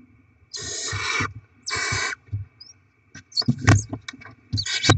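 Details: Barn owls during a rodent delivery and the feeding of their young, 07/02/2024: two long hissing screeches, followed by scraping, rustling and thumping movement noises in the nest.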